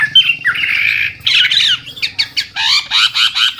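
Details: Chinese hwamei, an old wild decoy bird whose varied singing is meant to make newly caught birds sing. A brief whistle leads into harsh, grating squawks and then a rapid series of hoarse, rasping bursts.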